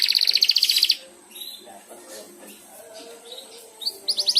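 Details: Young canary practising ngeriwik, triggered by another canary's song: a one-second rapid bright trill, near silence with faint soft notes, then a short trill burst at the end.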